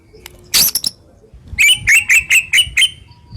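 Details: Murai batu, the white-rumped shama, delivering harsh, sharp 'tembakan' song meant to prompt other shamas into singing: one loud noisy burst, then six evenly spaced bright chirped notes repeated about every quarter second.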